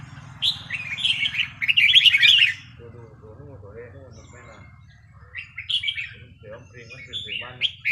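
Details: Red-whiskered bulbul training session on a free day. A loud, rich run of tumbling whistled notes fills the first two and a half seconds, then a man speaks and softer chirps return near the end.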